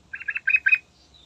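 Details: Yellow-vented bulbul in morning song meant to lure other birds into singing: a short run of four bubbly, chattering notes delivered rapidly, then a faint high whistle trailing off.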